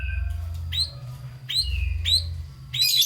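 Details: White-rumped shama song intended to stir lazy shamas: sparse, sharply upslurred whistles spaced about half a second apart, with a low background hum.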